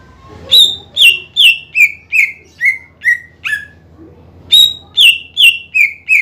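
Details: Greater green leafbird, a lively singing bird used to provoke lazy rival birds into singing: loud series of sharp descending whistled notes, about two or three per second, a first run of eight, a short pause, then another quick run of five.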